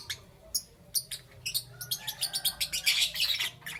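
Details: Lovebirds chirp in the morning, starting with spaced single high chirps that quicken into a fast, busy run of squeaky notes, roughly two per second and rising in loudness toward the end.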